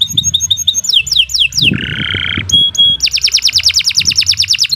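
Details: Master canary singing, long continuous song for tutoring other birds: quick descending whistles, a low buzzy rattle, a pure held note, then a long rapid series of repeated sharp chips.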